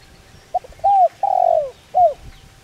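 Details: A single calling phrase from a spotted dove, the kind used to excite decoy birds. A short lead note is followed by three deep cooing notes, the middle one long and sliding downward.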